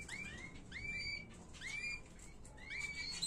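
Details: Canary tutor song, an error-free recording meant for teaching young birds: soft rising chirped notes repeated about every three quarters of a second over a low background hum.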